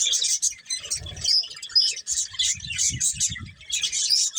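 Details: Breeding pair of budgies giving bursts of high, squeaky chirps and short whistled slurs, broken by brief gaps, with low dull thuds at one and three seconds.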